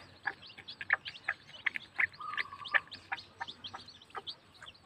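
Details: One-day-old bantam chicks peeping: thin, high chirps repeated about every third of a second in an irregular stream. One short, lower steady tone comes partway through, against soft background hiss.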